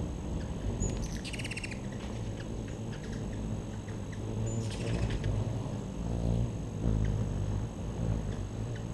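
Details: Hummingbirds at a backyard feeder: two bursts of rapid, high, dry chipping notes, one near the start and one midway, over a steady low rumble of background hum.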